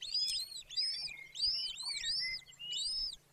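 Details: High, thin, arched whistles given in quick succession at a wild golden eagle nest, Bucovina, Romania, on 18 May 2024 at 14:19, with little background noise beyond a faint low hum.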